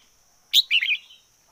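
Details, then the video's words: Red-whiskered bulbul decoy bird delivering a brief song of one sharp high note and a rolling, warbled whistle that trails off. "Chim chào mào mồi hót căng lửa nhất 2021. Noog diab qhuaj zoo heev 2021"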